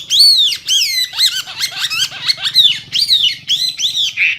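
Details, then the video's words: Hwamei with a loud voice, giving harsh, arched, squawky notes in quick, uneven succession, rising and falling. "Hwamei/wambi gacor full isian suara keras jernih"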